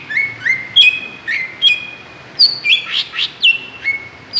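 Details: Provoking lure sound of a greater green leafbird: sustained clear whistles stepping between pitches, each opening with a fast downward slide, interrupted midway by a brief cluster of harsher, noisier notes before the steady whistling resumes.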